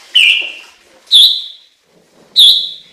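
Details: Chinese hwamei singing three loud, clear whistled phrases, the first sliding down, the next two starting with a sharp upward flick then held steady, separated by short pauses.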